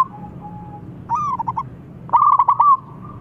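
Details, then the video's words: Loud-voiced local zebra dove calling to lure: a faint coo, then two rolling bursts of quick, low, bubbling coo notes, the second louder, over low background hum. "Perkutut Lokal Gacor Suara Besar Memancing 100% Ampuh"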